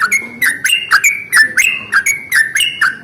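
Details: A Yellow-vented bulbul delivers its long rolling morning song, known as 'ropel panjang', intended to set off other bulbuls; evenly spaced bubbly notes, each a short gurgling flick, roughly three per second.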